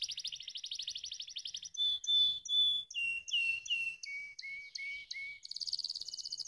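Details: Canary singing to coax lazy birds into song. A fast buzzy trill opens, followed by clear flat whistled notes stepping downward in pitch, then a dense high trill at the end.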